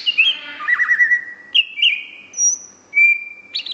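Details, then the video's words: Greater green leafbird (cucak hijau) in gacor song: long level whistled notes, a stuttered series of short notes, and a thin high whistle, delivered slowly. "Kicau Cucak Hijau Gacor ..... Sampai Teler"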